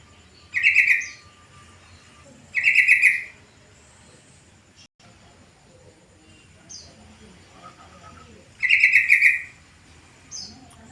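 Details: Afternoon calling of a yellow-vented bulbul, used to draw other bulbuls into answering: three short, rich bubbling bursts, two close together and a third after a long gap. Faint high chirps from other birds and low background hum.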